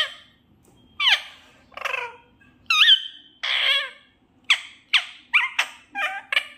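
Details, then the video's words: Desi parrot talking in a sweet voice: about ten short, hoarse, voice-like syllables over six seconds, each sliding up and down with rich overtones, some clipped and squawky, spaced irregularly in a quiet room. "PARROT TALKING Sweet voice || Desi Parrot Talking best scene"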